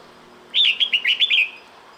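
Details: Breeding-season call of a female red-whiskered bulbul summoning the male: a quick burst of about six clear whistled chirps, each briefly dipping and rising, run together in under a second against a quiet background.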